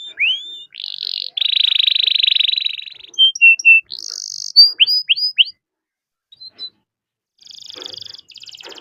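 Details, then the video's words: Singing canary's long roll, meant to get other canaries singing. A rising note leads into a sustained buzzy trill, then short whistles and a quick series of curved notes, a near-silent gap, and soft fluttering trills at the end. "Kenari Gacor Roll Panjang || Pancingan Kenari agar cepat bunyi"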